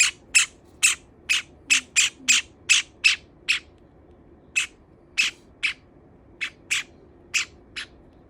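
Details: Pet Java sparrow kept with a second bird, calling loudly as if complaining after its companion nibbled its feathers: sharp, clipped chirps repeated about three per second, in a steady run that pauses and resumes.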